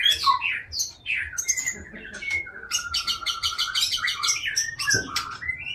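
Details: Indonesian white-rumped shama from Aceh, a long-tailed captive breeder, singing a varied, orderly phrase: quick falling whistles, a long level whistle, then rapid chipping notes and rising slurs, over a soft repeated low knock.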